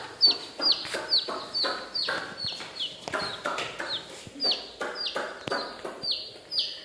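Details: Many coloured baby chickens in a village cheeping steadily: bright, high peeps that drop in pitch, coming quickly one after another, several birds overlapping, with light tapping beneath.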